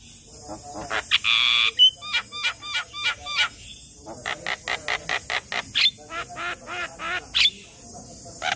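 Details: Asian pied starling, young, singing nonstop all day: a harsh screech, then long runs of brisk, repeated clicking notes with thin whistled accents and occasional rasping squawks.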